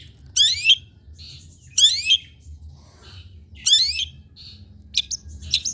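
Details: Long-tailed shrike, recorded for training other birds to sing. Loud scratchy, rising bursts come roughly every one and a half seconds, separated by softer chirps, with a low hum in the background.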